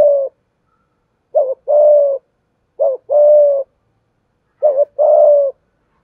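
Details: Spotted dove calling as a lure for training and provoking new doves, 'giọng thổ' style: the tail of one phrase, then three full phrases, each a clipped two-part coo leading into a sustained mellow coo.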